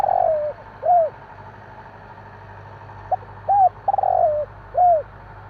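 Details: Spotted dove at night giving soft, arched coos mixed with short rolling purred notes that fall away, in an uneven series over a constant low background hum.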